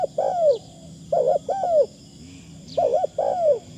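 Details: A decoy Spotted Dove with a thin, pleasant 'karom' delivery. Three mellow coo phrases, each a fluttering double note followed by a longer descending coo, come in quick succession over a soft steady background hum.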